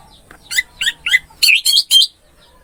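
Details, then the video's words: Orange-headed thrush song, a masteran training recording for a silent bird: six separate, sharp, scratchy whistled notes in quick succession, the last three louder and closer together, over a faint low hum. "MP 3 MASTERAN ANIS MERAH MACET BUNYI"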